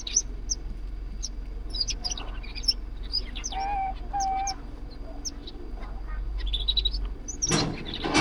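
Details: Zebra finches in a home aviary give nasal, toy-trumpet-like calls amid many quick high chirps, over a steady low hum and a brief rustling burst near the end.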